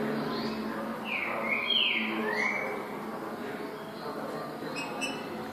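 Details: Green-winged saltator song: a couple of bright, slurred whistles rising and falling over a constant broadband hiss, followed by quieter faint notes.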